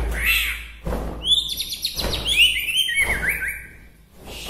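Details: Song of a white-rumped shama from Bahorok, Medan, said to stir up other shamas: a long high whistled note, then rapid descending slurred phrases with sharp upward sweeps, over some low background noise.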